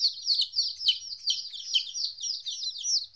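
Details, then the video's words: Domestic chicks, 14 days old, on their first separation from their mother: a dense chorus of high, overlapping peeps, each a short downslurred chirp, tumbling rapidly and continuously with no other sounds. "Chicks Chirping Sounds - Baby Chicken Sounds"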